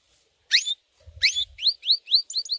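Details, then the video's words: Short burst from a white canary's training song: two loud harsh notes, then a string of quick rising whistled chirps repeated about every quarter second, with a faint low thumping. "White Canary 12h Singing - The Best Training Song"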